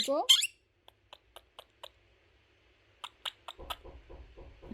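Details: Pet male monk (Quaker) parakeet chattering mimicked speech such as "what are you doing": a loud rising squawk, then a string of quick clicks and short word-like bursts, playful chatter he makes when sleepy, relaxed or in the mood for fun.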